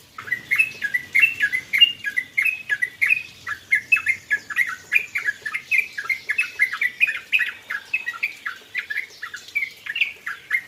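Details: Yellow-vented bulbul (trucukan) singing after a rain-bath meant to calm it. It gives a lively, nearly unbroken stream of short bubbly chirped notes, many slightly rising, about one and a half per second for ten seconds, over faint hiss.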